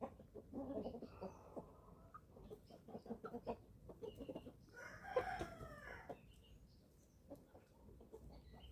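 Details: Young chickens, eleven weeks old, feeding on a family farm in Germany; continuous rhythmic clucking with a louder, drawn-out harmonic squawk around the middle and scattered high peeps behind.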